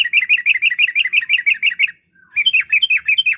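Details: Yellow-vented bulbul in lively gacor song, used as a lure to get other bulbuls singing: a fast run of bright chattering notes around two per tenth-second, a short pause, then a second rolling burst of sharper, varied notes.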